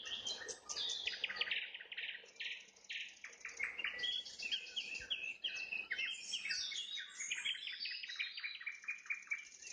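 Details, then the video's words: Sunset trills from a nightingale: an energetic, almost continuous medley of high chirps, whistled slurs and rattling repeated notes, loud throughout with only brief dips. "Пение соловья на закате, соловьиные трели"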